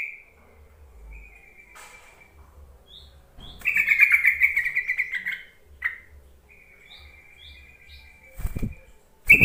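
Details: Yellow-vented bulbul call meant to lure sluggish caged bulbuls into singing: long level whistles alternate with a loud bubbling burst and a few sharp clicks or knocks.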